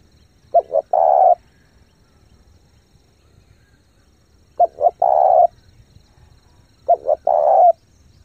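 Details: Three cooing phrases from a spotted dove lure bird urging wild doves in, spaced roughly three seconds apart; each has two quick notes leading into a sustained coo, with faint low rumble behind.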